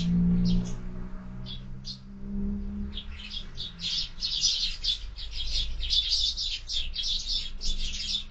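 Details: At a window feeder in the morning, sparrows start with a few sparse chirps over a low humming drone, then break into a thick, continuous chorus of overlapping bright tweets.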